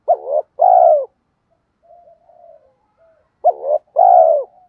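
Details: Lure cooing of a spotted dove, 'gù gáy kích bổi' style. Two pairs of notes, each a short wavering coo and a longer descending one, are separated by a gap of faint, soft murmuring.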